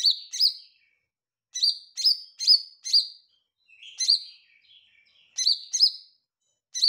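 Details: Olive-backed tailorbird singing in lively form, bright clipped chirps in pairs and short runs of up to four, broken by a softer, lower warbled phrase, in quiet surroundings.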